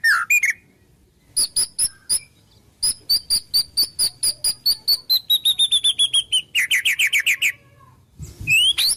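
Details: Rapid series of high, clipped, evenly repeated notes from a White-rumped shama imitating wild birds, gradually falling in pitch. A buzzy flourish ends the series, with a low thump near the close.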